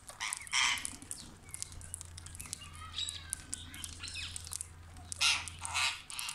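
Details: Parrots gathering at a village tree in the morning, seen close up; rasping squawks and short chirps in loud bursts near the start and end, with a low steady hum underneath.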